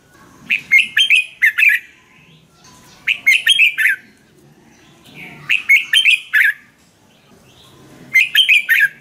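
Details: Red-whiskered bulbul from Thailand singing, meant for training or stirring caged birds: four short phrases of cheerful, tumbling whistled notes, each pairing two quick bursts, spaced about every two and a half seconds.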